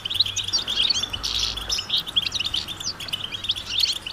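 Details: European goldfinches calling together outdoors, calls said to prompt males to sing: quick bright twittering notes, short buzzy rasps and sharp high chirps overlapping without pause, over a faint low hum.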